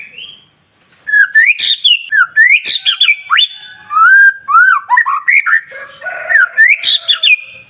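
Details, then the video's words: White-rumped shama singing to spur other shamas into song, a loud run of whistled, swooping notes rising and falling with abrupt harsh bursts in between. "PANCINGAN MURAI BATU SUPER NGOTOT,DI JAMIN BURUNG MURAI JADI GACOR"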